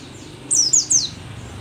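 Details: A single quick phrase from an old, still-vigorous dakun mountain white-eye, endemic to Merapi: three thin, bright, high-pitched notes, each slurring rapidly downward.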